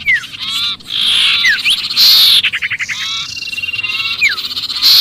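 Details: Sirpu giving noisy trapped-bird distress calls used as a lure for other birds: dense overlapping chirps with falling slurred notes, rattling bursts and a loud high buzzy burst near the middle.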